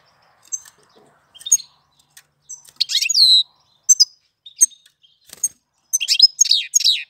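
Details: Bird singing in April: high thin chirps and short trills, widely spaced, with a louder descending buzzy phrase mid-clip and a run of rapid notes at the end.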